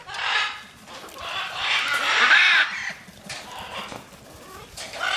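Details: Free-flight macaws producing several rasping squawks that swell into a long, hoarse screech, then fade to quieter calls.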